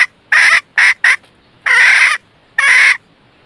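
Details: Red junglefowl hen acting as a lure for males, giving three quick clucks followed by two longer drawn-out harsh calls with pauses between them.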